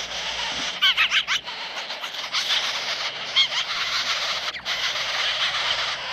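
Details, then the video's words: Young jays at a feeding, competing intensely for food: harsh, raspy, noisy begging bursts overlap and repeat in quick succession, with louder grating peaks near the start. "The little jay is having dinner, and the competition for food is intense松鸦开饭了，抢食很激烈"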